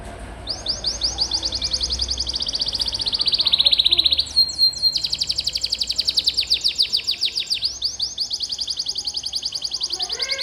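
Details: Gacor canary singing for use as a training song, in fast, bright, high trills that repeat at changing speeds and switch between several pitch levels with almost no pause.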